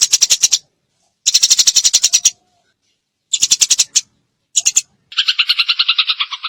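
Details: Eurasian tree sparrow chattering in rapid-fire 'tembakan' bursts: clipped runs of harsh chirps broken by silences, ending in a steadier buzzing trill.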